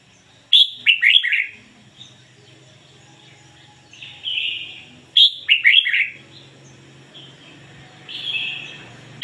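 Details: Red-whiskered bulbul decoy singing the ngoi bổi style: loud phrases of a high sharp note plus three or four tumbling whistles, repeated about every five seconds, with softer drawn-out warbles between them.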